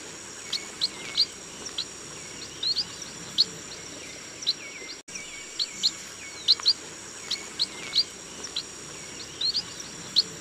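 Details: Chestnut munias, tagged as a rice-field call, give thin, high chips, singly or in quick pairs every second or so, over a steady high insect drone.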